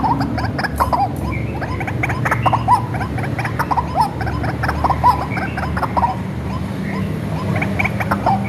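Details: White-breasted waterhen reared by hand from small, a lure call recording: scattered gruff clucks and croaks, fairly quiet against a loud continuous low hum and background noise.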